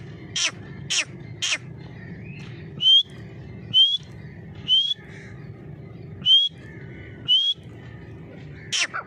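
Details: Grey francolin giving short, clear rising whistles, each a quick upward slur repeated roughly once a second, with sharp clicking sounds at the start and end and a constant low hum throughout.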